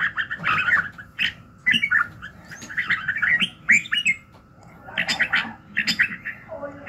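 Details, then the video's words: Red-whiskered bulbul singing in the morning, used for voice training: bursts of chattering, squawky notes with quick warbled phrases, separated by short pauses, over a faint low background hum. "luyện giọng Chào mào buổi sáng kích lửa hiệu quả"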